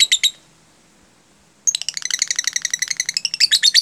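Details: Lovebird singing in the tight-gap 'jeda rapat' style, used as a lure to teach other lovebirds. A short burst of high chirps is followed by a pause, then a fast, steady run of sharp, high chirps, several each second, to the end.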